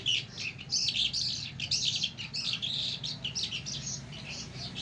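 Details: Mashadi jal song of a lark, an Iranian and Afghan singing style, delivered as a steady stream of high, scratchy twittering phrases and short trills with little pause between them.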